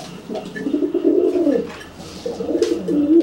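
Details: Pigeon cooing at a wet, flightless companion after its bath, making itself look bigger as a threat. A long, throaty, wavering coo is followed by a second rolling phrase.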